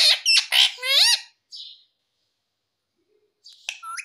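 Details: Loud, rapid burst of squawks and chirps from a pet parrot, three harsh bending notes in quick succession, then a softer note and, after a pause, a few scratchy chirps.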